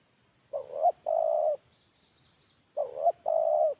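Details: Lure call of a spotted dove that is moulting: two phrases, each a quick rough coo joined to a longer level hooting coo, about two seconds apart. A faint high tone hums in the background.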